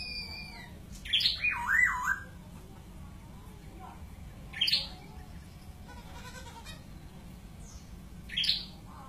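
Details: White-crested laughingthrush (Garrulax leucolophus) giving three bursts of harsh, chattering squawks with some bubbling notes, spaced a few seconds apart, over a steady low hum.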